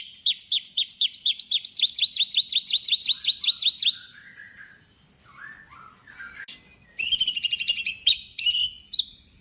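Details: White-rumped shama singing to spark song in other shamas: a long series of about twenty quick, identical high notes, softer warbles, then ringing, bright whistled phrases.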